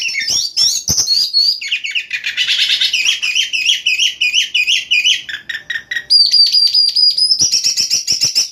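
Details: Oriental magpie-robin singing at night as a lure song to trigger other magpie-robins: loud, varied bursts of rapid repeated notes, sweet whistles and rasping trills, with a high sustained whistle near the end.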